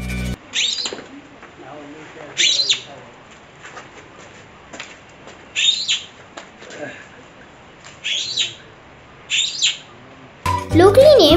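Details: A large cuckooshrike, in a Sri Lanka birds feature, gives shrill, rising whistled calls, five spaced over ten seconds, over a soft background hiss; music starts at the very end.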